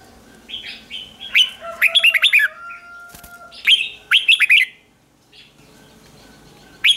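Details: Red-whiskered bulbul singing as a lure to call wild birds: bursts of rapid, sharp whistled notes around two phrases, separated by quieter pauses, with a faint steady tone in the background.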